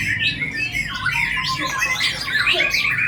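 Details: White-rumped shama (murai batu) bowing as it sings; a short, very sharp burst of its isian-rich song with quick looping whistles and warbled notes run tightly together without pause.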